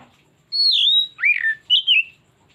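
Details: Oriental magpie-robin lure song, meant to make a bird unleash its repertoire: one short, loud phrase of a long high whistle curving downward, a lower swooping note, and two quick trilled notes.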